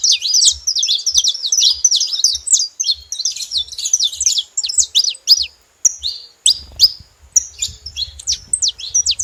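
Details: Calling saffron finch delivering a busy stream of thin, high chirps and quick downslurred notes, about three per second, thinning into separate sharp notes near the end, with low rumble.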